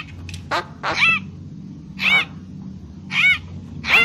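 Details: Papuan magpie-robin lure sound: a few short sharp notes, then widely spaced, rich, arched whistled notes with harmonics.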